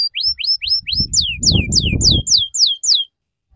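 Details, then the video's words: Young canary learning ngeriwik song from a prompting recording; a series of sharp descending whistled sweeps repeated about three times per second over a low rumbling noise. "Suara PANCINGAN Kenari Paud Belajar Bunyi Ngeriwik"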